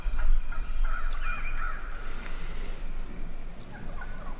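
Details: Morning chorus from a big flock of wild turkey hens: overlapping yelps and clucks in uneven bursts, several birds calling at once over a steady low background rumble.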